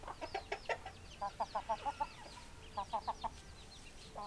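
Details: Hens clucking in quick, rhythmic runs of short, clipped notes, about five to six in a burst, with pauses between bursts and a faint background hum.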